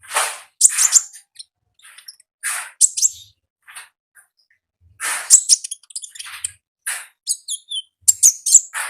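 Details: Vigorous gacor ngalas song of a wild olive-backed sunbird: repeated bursts of high, sharp twittering with brief pauses, ending in quick descending chirps.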